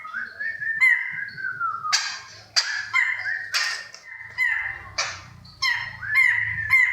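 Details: Kriko Gayo, a rare bird from Central Aceh, gives repeated slurred, rising whistled notes broken by harsh, noisy bursts, roughly one phrase per second, over a low background hum.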